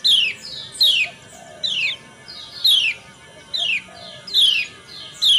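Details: Female lemon-bellied white-eye calling in the morning to prompt males to sing, in a lure track for kept birds; sharp downward-sweeping chirps come in quick succession, roughly every three-quarters of a second.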